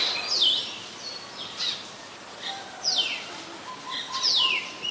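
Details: Oriental magpie-robin from Ubon Ratchathani, Thailand, recorded in July: loud, sharply descending whistled slurs repeated at intervals of about one and a half seconds, with quieter short notes between them and faint ambient noise.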